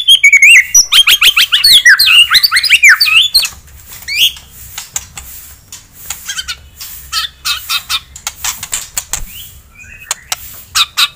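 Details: White-rumped shama, a caged fighting bird, in rapid song meant to provoke an opponent: a dense burst of rising whistles and chips, then fainter scattered clicks and harsh notes after a pause.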